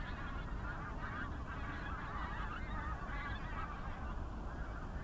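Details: Pink-footed geese skein in winter over North Norfolk, UK, January 2022: dense chorus of overlapping high honks and yelps from many birds, continuous throughout, with strong low-pitched background rumble.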